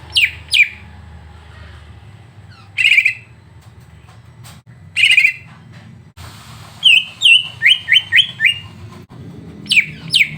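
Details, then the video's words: Greater green leafbird song used as a training recording to provoke another bird: steep downward-sweeping whistles, buzzy slurred notes, then a quick run of five rising chirps, with a final pair of descending sweeps. "Masteran untuk cucak ijo biar terpancing emosi"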